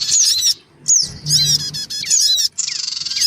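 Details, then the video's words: Black-winged cuckooshrike calls made as a bird-attracting lure: short bursts of harsh buzzy chatter and a descending whistled slur, split by brief silences, ending in fast rhythmic pulsed notes. "mp3 suara pikat sogon ribut. dan anak sogon"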